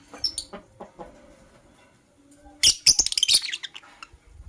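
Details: Green and blue masked lovebird in the morning: soft low chatter and a few short notes, then a loud run of shrill, harsh chirps packed together for about a second before fading to scattered calls.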